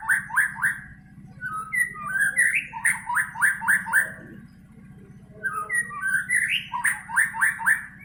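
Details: White-rumped shama singing, likely a kept bird: quick series of rich whistled notes repeated three or four times in bursts, with a few rising slurred phrases between, over a steady low hum.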